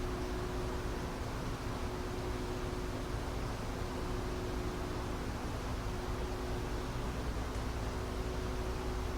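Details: Steady broadband hiss and a constant low hum fill the night ambience at Ichijōji, Sakyō Ward, Kyoto, on 22 May 2023, with no animal call.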